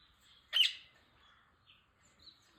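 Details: Rose-ringed parakeet giving a single loud, harsh screech lasting a fraction of a second, followed by faint softer chirps and quiet background.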